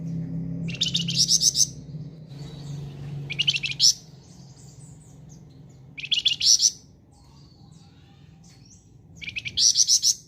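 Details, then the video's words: Vigorous flamboyan bird song: four loud bursts of rapid, shrill, buzzy chirping, each about a second long and repeated every two to three seconds, over a low background rumble. "BURUNG FLAMBOYAN GACOR"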